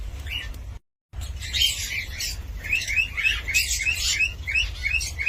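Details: Cockatiel uttering quick, rising chirps repeated about three times a second after a brief gap, with a few harsher squawky notes overlapping and a low hum underneath.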